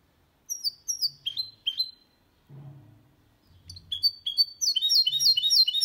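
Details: Mixed goldfinch-canary bird singing cleanly, for prompting males and memorizing by young: paired high descending notes, a pause with low hum, then a fast burst of sharp repeated twitters.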